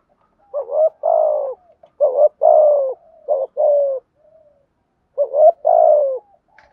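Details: Spotted dove cooing in the thúc gù style, played to lure wild doves: three rounded phrases, each a short rising note that runs into a longer, resonant, downward-sliding coo, with short gaps between phrases and no other sounds.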